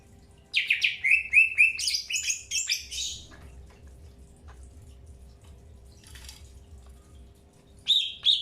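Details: Early pairing of a Greater green leafbird: a dense, fast chatter of bright chirps for about two and a half seconds, then near silence, then a sharp double chirp.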